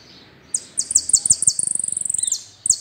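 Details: Saffron finch delivering the full "el rollo" song style: piercing high notes, first spaced, then a fast rattling trill of sharp repeated chirps that ends with a few more bright notes, in a quiet setting.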